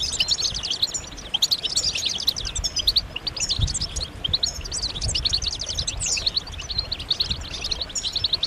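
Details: Group of European goldfinches in mating-call chorus to stimulate male song, repeated bursts of quick, high, liquid twitters roughly every second or so, layered and continuous.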